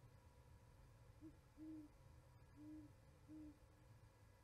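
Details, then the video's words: Owls chatting at an osprey nest in Charlo, Montana, in winter, 11 January 2020, picked up by a live nest camera: low, soft hoots in a short run of four or five notes, the later ones longer and steady, over a faint low rumble. "Hooties chatting."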